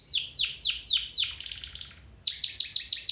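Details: Domestic canary training song: five loud descending whistled slurs, a brief low buzzy trill, then a rapid run of bright repeated high notes.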